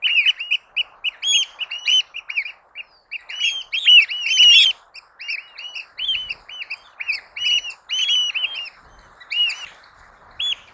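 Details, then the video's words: Eurasian oystercatcher giving its distinctive loud piping call, from an archived nature recording: shrill, clipped piping notes repeated rapidly and continuously in excited overlapping bursts, with short lulls between runs. "The call is a distinctive loud piping. Now, let's listen to its call."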